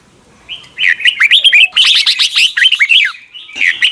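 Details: Morning song of a red-whiskered bulbul in the mature wild double-note style, meant for voice training: a long, continuous stream of fluty, slurred notes with quick up-and-down inflections and brief chattery accents.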